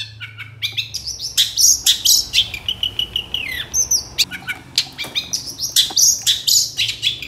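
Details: Long-tailed shrike in full, lively song, played to coax silent shrikes into answering. Rapid varied chatter of piercing whistles, buzzy slurs and scratchy notes runs almost without pause, over a soft low hum.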